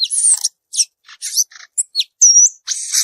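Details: Song of a wild violaceous euphonia, short separated phrases of high scratchy buzzes, falling chips and one clear sustained whistle, with brief silences between the notes.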